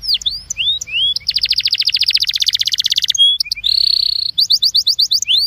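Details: Belgian canary singing a training song meant to warm up canaries: a few rising whistled notes, then a long rapid rattling trill, a short buzzy roll and quick repeated chirps.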